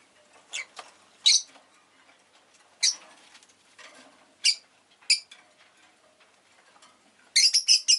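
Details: Rosy-faced lovebird giving sharp, piercing chirps spaced a second or more apart, ending in a quick burst of four loud squeaks.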